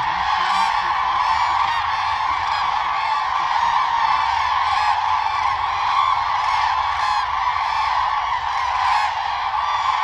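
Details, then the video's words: Many common cranes calling together in the mating season while dancing. Loud, rolling honks pile up into a continuous din that holds steady throughout, with brief sharper notes rising above the mass. "Common crane dance for mating | Crane bird sound"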